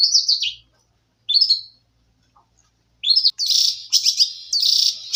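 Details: Canary song: clear, high, descending warbled phrases separated by short silences, then continuous rolling trills toward the end.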